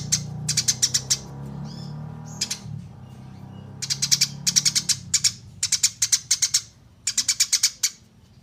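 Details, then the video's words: Eurasian tree sparrow used as a training recording for songbirds: bursts of rapid, sharp high chirps in clusters of four to six, separated by short pauses, over a low steady hum. "SUARA BURUNG GEREJA JERNIH"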